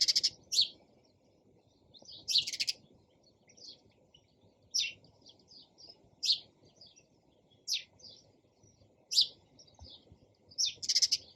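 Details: Sparrow chirping: short, bright chirps in clusters, repeated roughly every one to one and a half seconds, with fainter chips between them over a quiet, low background hiss.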